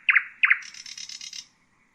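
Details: Common nightingale song fragment: two loud, sharp, downslurred notes followed by a high, dry, buzzing rattle that fades after about a second, then silence.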